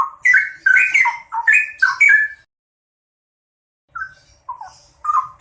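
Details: A pair of straw-headed bulbuls singing vigorously: loud, rich, bubbling warbled phrases tumble out rapidly for about two and a half seconds, then a pause of silence before softer liquid notes start again.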